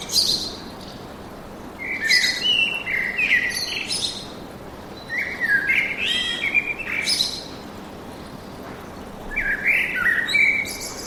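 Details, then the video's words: Forest birdsong of chirped, twittering phrases, some sliding and warbled, coming in clusters every couple of seconds with quieter pauses between. Several birds seem to overlap against a faint, even background hiss. "Пение птиц в лесу"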